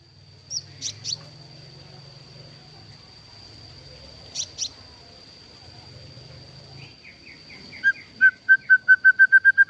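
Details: Captive-bred White-rumped shama: a few sparse high chips, then a steadily speeding series of short clear notes, first stepping down, then repeated about four times a second at one pitch.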